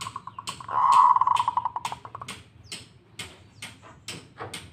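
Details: Zebra dove of local stock gives a loud rolling cooed trill lasting about a second, then it stops and sharp clicking knocks continue through the rest.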